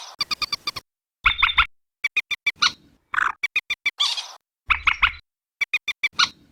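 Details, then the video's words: Common moorhen giving quick runs of clipped, nasal kek notes, broken by harsher croaking bursts, repeated in stuttering groups with short silences between. "Suara pikat burung bantiung | Common Moorhen sound calling"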